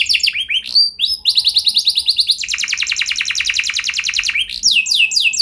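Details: Canary singing a long, rolling song used to prompt other canaries to sing: rapid trills of downward-sweeping notes, then a fast buzzy run of repeated notes, ending with quick rising whistles.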